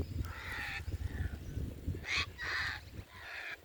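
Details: A flock of sulphur-crested cockatoos flying over and landing, giving harsh raucous screeches, broad grating bursts about half a second long, over low rumbling background noise; Australia.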